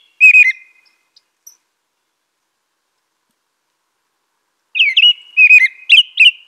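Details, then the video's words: American robin singing: a short burst of whistled, slurred notes near the start, a long silence, then a run of rising and falling caroling phrases toward the end. "American Robin Song.(Turdus migratorius)."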